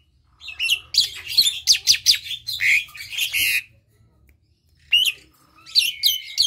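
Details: An Asian pied starling gives a loud, chattering song of harsh, squeaky and whistled notes in a rapid three-second burst, then shorter squeaky phrases after a pause; played to provoke silent pied starlings into singing.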